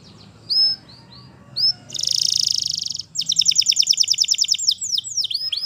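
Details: Canary in the wild, opening with a few scattered chirps over soft background noise, then a loud buzzy trill, followed by a fast series of bright pulsed notes and a few slurred calls.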